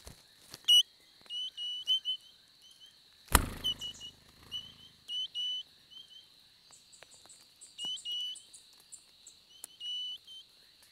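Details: Spotted pardalote pair raising a summer brood at their nest in the Capertee Valley, calling with clear whistled paired notes, often doubled, repeated irregularly over a steady high hum, with one loud knock midway.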